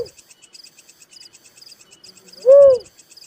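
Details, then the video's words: A lone little cuckoo-dove coo, one rising-then-falling hollow note, against a constant backdrop of rapid, high-pitched insect chirping. "suara burung tekukur merah || suara burung uncal"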